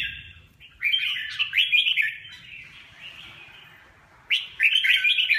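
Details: Red-whiskered bulbul gives two bursts of rapid, liquid warbling whistles separated by a quiet pause of about two seconds, in a fairly quiet setting.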